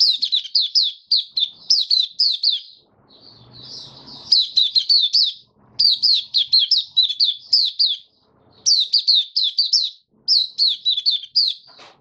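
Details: A kept white-eye (mata puteh), recorded 23 March 2022 in warm, humid weather, gives its opening song in fast bursts of high, thin twittering notes. Each phrase lasts about two seconds, with short pauses and faint shuffling noises between.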